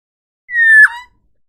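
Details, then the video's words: Forest oriole giving a single clear whistled note, held level for about a third of a second, then breaking abruptly into a lower, slightly burry tail, with no other sounds. "Tropical Bird Calls to Relax forest oriole Kepodang hutan"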